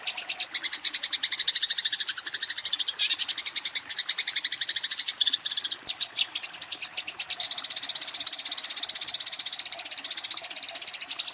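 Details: Eurasian tree sparrow in a fighting mood, calling a rival: dense, rapid high chirps in a continuous chatter, about four per second, briefly faltering near the middle, then merging into a steadier buzzy stream toward the end.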